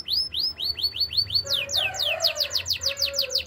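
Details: Canary singing for training: rising whistled notes repeated quickly, changing to louder steep downward strokes at a similar pace, with a faint low tone in the background.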